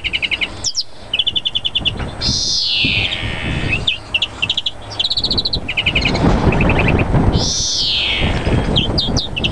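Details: European greenfinch in an excited mating state: quick chattering trills and bright twittered phrases broken by two long nasal wheezing notes that sweep down, over a steady low background rumble.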